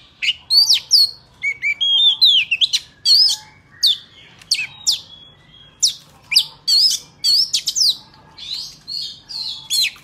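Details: A white-rumped shama sings a wild-type song used to train young birds' voices: a rich, varied run of clear whistled phrases, sliding and rising, with quick chips between, each phrase different, in rapid succession.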